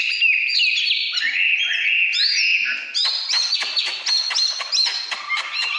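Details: Oriental magpie-robin, 2017, performing căn lửa song: smooth descending whistles at first, then a rapid series of clipped, ringing notes with crisp clicks between them.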